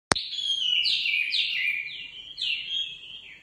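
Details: Nightingale singing a run of loud, sliding whistled phrases that swoop up and down in a high register, linked almost without pause and fading at the end.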